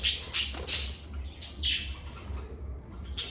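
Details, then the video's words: Lovebirds in a quiet indoor setting uttering a quick run of three harsh, high chirps, then a downslurred squeaky note and a final sharp chip, over a low hum. "Lovebird Singing & Chirping Sounds"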